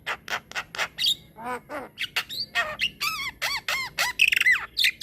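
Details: Javan myna singing energetically in a long rolling song, a tutor recording for training other mynas: harsh buzzy squawks in quick bursts, then repeated arched whistled notes and a rising squeal.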